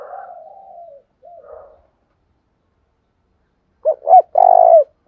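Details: Spotted dove, sound meant to trigger quick cooing in other doves: faint wavering murmur first, then a silence and one phrase of two short rising notes ending in a long, steady low coo.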